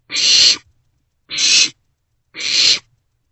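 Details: Nighttime barn owlets in a nest box passing a vole back and forth, 27 March 2024; three loud, even, breathy screech-hisses roughly a second apart over silence.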